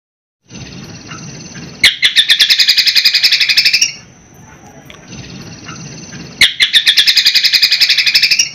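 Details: Cucak kombo in lively song with sparrow and helicopter-like fill phrases: a steady buzzy tone breaks into bursts of rapid staccato high notes, two bursts about four and a half seconds apart.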